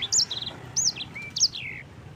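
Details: Yellow-fronted canary song for bird-training tutor use: a few sharp high whistled phrases, a short buzzy trill, and a long descending slurred whistle closing the two-second burst.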